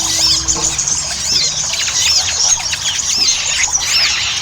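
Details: Ruby-cheeked sunbird (sogon) chattering song used as a lure to get birds singing fast. Sharp, high, upswept whistled notes repeat about every second over thin twittering and constant hiss.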